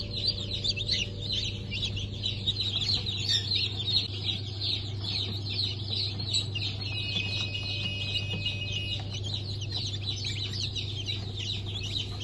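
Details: Newly hatched chicks of the Sultan, Turken, Australorp and Sussex breeds from a 23 March 2024 hatch. Continuous dense high-pitched peeping and cheeping from many chicks rises over a steady low electrical hum.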